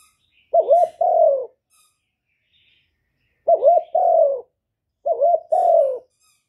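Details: Spotted dove singing in the 'hạp Bổi' voice for luring doves when trapping: three evenly spaced two-part phrases, a short wavering coo followed by a drawn-out, slowly falling one, in quiet surroundings.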